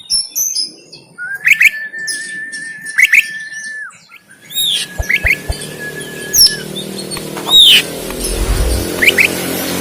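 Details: Fighting-style 'konslet tarung' song of an oriental magpie-robin from Banten, Indonesia, phone-recorded as a master for training birds: drawn-out level whistles cut by sharp upswept chirps, with rising background hiss and low thumps later.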